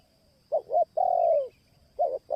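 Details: Spotted dove luring call, called pikat and in the merayu style, from Indonesia: a short paired coo followed by a longer, sliding, falling coo, then another paired note. A faint steady high tone runs throughout.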